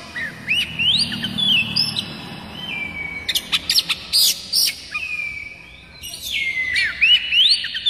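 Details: Tutor song of the Oriental magpie-robin (kacer daput), played to make other kacer birds start singing: rising whistled sweeps, long level whistles and a rapid burst of clicking notes, with sweeping phrases resuming at the end.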